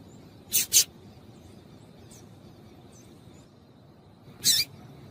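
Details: Female papa-capim (seedeater) call, said to excite males into singing; three short, sharp, high chips, two close together near the start and one alone after a long quiet gap, over faint steady background hiss.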